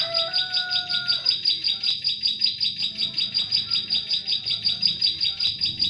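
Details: High chipping song of a Bar-winged prinia, used as a lure when trapping birds in forest, repeated at a fast, regular pace; lower whistled phrases from another bird sound at the start.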